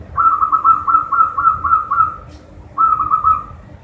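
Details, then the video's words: Local zebra dove in full song, used to prompt reluctant captive doves to sing: quick rhythmic bubbling coos repeated about four per second in a long phrase, a short gap, then a shorter rolling phrase, with faint background hum. "PERKUTUT LOKAL GACOR UNTUK MASTER PERKUTUT YANG MALAS BUNYI"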